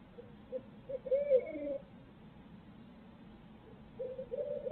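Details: Barred owl in Midtown Tulsa captured by a live-feed camera: several low hooting notes, one longer wavering hoot in the middle and a few more toward the end, over a steady background hum.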